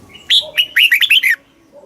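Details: Thai caged red-whiskered bulbul giving a southern master-style phrase for exciting birds and teaching young: a single rich sequence of about seven quick looping whistled notes sliding downward, with a faint low note beneath.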